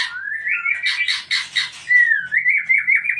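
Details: White-rumped shama song: a rising whistled phrase near the start, then a burst of harsh, buzzy broadband notes, ending in a wavering series of clear whistles.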